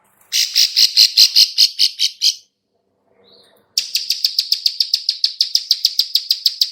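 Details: Bar-winged prinia female making its clicking call, used to lure birds: a fast run of bright high clicks, a short silence, then a longer steady series of regular clicks, about three per second.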